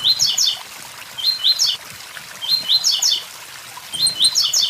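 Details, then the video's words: High, quick 'tui tui zel zel' phrases from a blue-black grassquit by a waterfall, each a burst of bright chirped notes, four bursts roughly a second and a half apart, over a constant watery hiss. "Tiziu tui tui zel zel"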